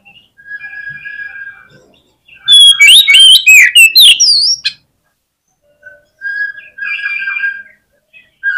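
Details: Fighting song of an Oriental magpie-robin used to rile up rival birds: steady level whistles give way to a loud, dense two-second outburst of rapid trills and swooping notes, then quieter whistled phrases return.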